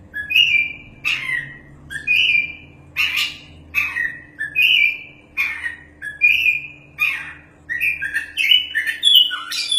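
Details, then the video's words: Champion Oriental magpie-robin in vigorous song, meant for tutoring other birds: clear whistled notes alternating with rasping bursts in a steady rhythm of roughly one phrase per second, becoming quicker and more varied at the end; low rumble and hum beneath. "BURUNG KACER JUARA GACORRR PAS BUAT MASTERAN~"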